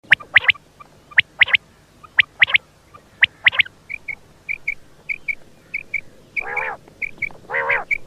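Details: Quail calling in a sharp, rhythmic series of short high notes, often in quick pairs. Later come small high dots and two longer, nasal, harmonic bursts.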